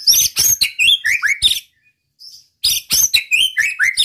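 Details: White-rumped shama song used to provoke other males into singing: dense bursts of varied whistles and sharp chirps with rapid upslurred and downslurred notes, a second-long pause, then another fast rich phrase.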